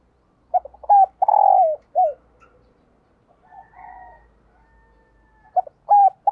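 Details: Spotted dove decoy cooing at dawn to attract wild doves: staccato coos lead into a long, loud, humming coo that slides down, then a brief final coo. Quieter cooing follows before the next loud phrase starts.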